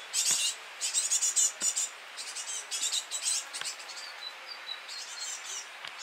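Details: Young great tits begging at feeding time, giving bursts of harsh, high hissing chirps that fade into softer, thinner calls, with faint clicks and taps in the background.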